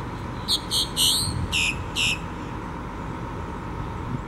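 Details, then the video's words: A Boat-tailed Grackle on Jekyll Island on 10 March 2016 gives five harsh, rasping notes in quick succession, over the steady low rumble of a tour bus in a parking lot. "Boat-tailed Grackle"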